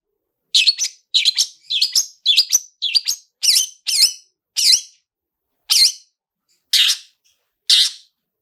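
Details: Long-tailed shrike lure song with "toet toet" sounds and rich fill-ins, meant to trigger singing: a fast series of sharp, rising-falling chirped notes that slows toward the end into single spaced calls about a second apart.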